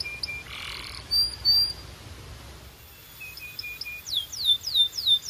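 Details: Canary song with scattered short whistled notes and faint buzzy bursts, ending in a run of rapid descending high sweeps repeated several times per second against a soft background hiss.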